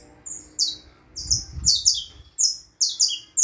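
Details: Saffron finch (canário da terra) delivering sharp, high, clipped buzzy notes in quick uneven bursts, some doubled, while a low rumbling noise sounds briefly in the middle.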